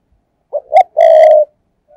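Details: Spotted dove kept as a lure, cooing in the thúc gù manner to draw in wild doves. It gives a short hoarse note and a rising second note, then a loud, long, rich coo with a buzzy edge.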